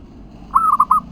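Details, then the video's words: Local zebra dove cooing phrase used as a lure to make other doves answer: one short rolling, stuttering coo ending in two quick repeated notes, over faint low background noise. "Perkutut lokal GACOR suara ampuh untuk pancingan langsung nyaut"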